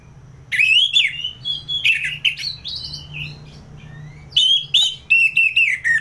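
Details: Orange-headed thrush in ngeplong style, uttering varied whistled and warbled phrases in bursts, some sharp and clicking, others smooth and sliding, with short pauses between groups.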